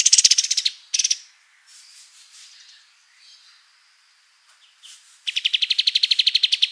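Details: Kapas tembak white-eye singing as a tutor bird: two short bursts of quick notes, then a quiet gap with faint background sounds, before an even, rapid trill of about a dozen repeated buzzy notes.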